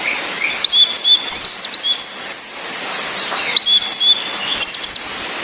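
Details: Orange-headed thrush, female, whistled calls meant to raise breeding drive in males that merely twitter, mixed with rain and a calm male singing; clustered high chirps and a long descending whistle over constant background hiss.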